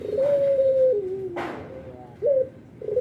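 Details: Albino Barbary dove calling actively, morning, noon and night: a long level coo that steps down to a lower held tone, then a short rising note and the start of the next phrase, in a quiet room.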